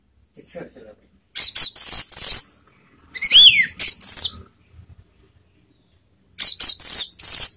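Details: Orange-headed thrush singing in a lure recording meant to stir emotion and breeding urge; three separate bursts of high, rapid, scratchy chirps and whistles, one containing a bright arched whistle, separated by silent pauses.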